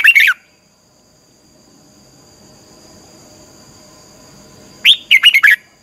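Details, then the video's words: Red-whiskered bulbul singing a 'xoắn tít' training song to fire up other birds: a clipped warble opens, then after a long quiet gap comes a full phrase of four or five rapid looping, bouncy notes; a thin steady whine persists throughout. "luyện giọng chào mào hót hay, Giọng xoắn tít -KÍCH CHIM CĂNG LỬA, Luyện chào mào hót sáng"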